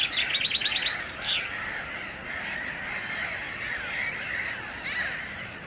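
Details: Mediterranean gulls at a breeding colony on a Loire sandbank at Montjean-sur-Loire, France, on 12 May 2013, with Black-headed Gulls and Common Terns present. They give a quick series of nasal, upslurred calls, then softer overlapping calls in a steady colony chorus.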